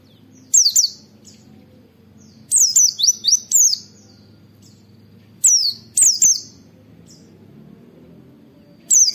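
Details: High, piercing "wit wit" calls of an oriental white-eye used for training: bursts of one to four quick downslurred whistled notes repeated every few seconds against a quiet background.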